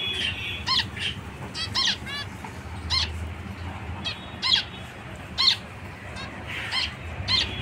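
Zebra finches give short, nasal, trumpet-like beeps, about a dozen in under eight seconds, over a low background hum.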